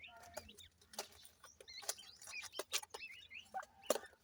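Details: Several ring-necked pheasant chicks peeping: brief high chirps, some rising and some falling, overlapping one another and mixed with loud tapping or scratching clicks.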